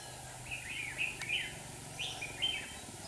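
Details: Decoy red-whiskered bulbul singing in a clamp trap in Hòa Bình to lure rival birds; several lively whistled phrases with rising and falling notes follow in quick succession, with faint background hum.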